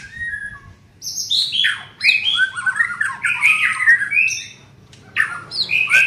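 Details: A young white-rumped shama in training gives a long jumble of harsh, squawky, and whistled notes, tumbling up and down in pitch, with short pauses between bursts.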